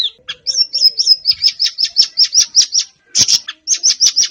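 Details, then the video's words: Siri-siri bird song played as a lure for captive birds: a rapid run of bright, high chirps, about four per second, broken by one short pause, then the chirps resume. "Burung Siri Siri bakal buka paruh dan gacor"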